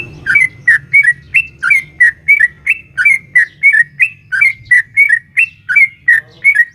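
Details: Sooty-headed bulbul, a female calling to a male, giving the long 'ropel panjang' song used to stir caged birds into answering: an unbroken stream of short, rolling two-part whistled notes at an even quick pace over a soft low rumble.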